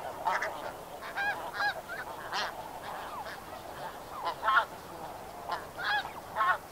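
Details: Snow Goose flock calling at medium distance, scattered nasal honks and yelps standing out singly against a hissing background rather than forming a dense chorus.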